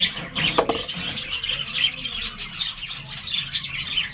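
Young budgerigars give a dense stream of high, scratchy chirps and squeaky calls.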